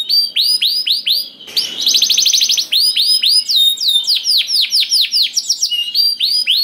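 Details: Canary song meant as a lure to start other canaries singing: rhythmic down-slurred whistled notes about four per second, broken by a brief fast rattling trill, then resuming with chips mixed in.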